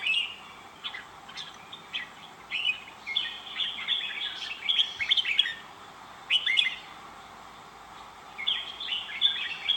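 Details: Red-whiskered bulbul singing bubbly, warbling phrases of quick whistled notes, repeated every second or two over a steady background hiss.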